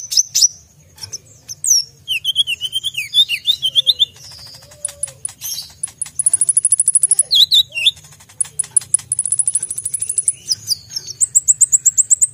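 Brown-throated sunbird in a busy, sharp, high song of rapid chip bursts, short trills and quick twisting whistles, run together almost without pause over a faint low hum.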